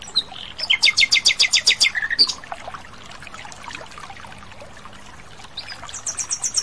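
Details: Wild Asian brown flycatcher in full song. A quick series of bright, high, stacked notes lasts about a second and ends in lower chips. After a quiet stretch, a thin, very high trill is heard near the end.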